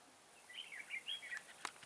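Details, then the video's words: Red-whiskered bulbul used as a decoy bird to lure wild birds into a trap, giving a brief run of clear, warbled whistles over about one second, then a single sharp click against a quiet background. "Bẫy chào mào Mào boi 3 cao vút- bộ thon dài p1"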